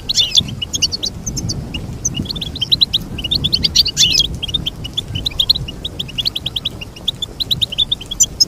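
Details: A goldfinch's song of fast liquid twitters and chirps strung together without pause, bright and high, with some clustered notes midway and soft low background noise.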